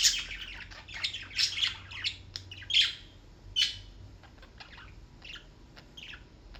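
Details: Pet birds kept in New York giving bright chirps and squawks in uneven bursts, loudest early on, then softer scattered tweets toward the end.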